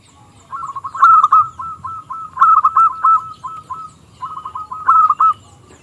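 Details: Zebra dove of a local strain, singing actively with a small, crystal-clear voice as a lure to set rival doves singing; rapid chains of short coos swelling into loud rolled bursts, two long phrases.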